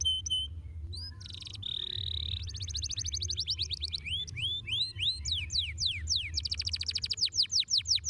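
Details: A canary sings a rich, varied song of high whistles and fast repeated notes, building into rapid rolling trills, a tutor recording to help young canaries learn to roll. A low hum runs underneath.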